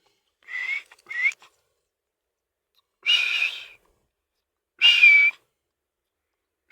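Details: Parrot imitating sounds and voices: short breathy whistled bursts around a steady high pitch, two quick ones then two longer ones spaced about two seconds apart, with silence between.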